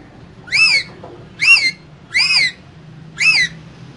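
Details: Green parrot from a caged pair giving four loud, harsh arched squawks, evenly spaced about a second apart.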